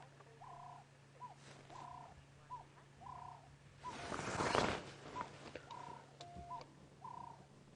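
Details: A ring-necked dove, called turtle dove, coos in a tree at Djuma Game Reserve, South Africa, on a 19 September 2016 morning safari drive near resting lions: soft, hollow notes in a steady rhythm over a low engine hum with a brief rustling burst midway.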